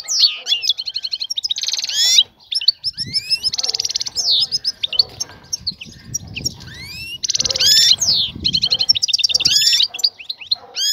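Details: European goldfinch, tied to a female calling a male to mate: dense, fast twittering song of rattling trills, buzzy runs and rising whistled slurs, almost unbroken, with soft low background rumble.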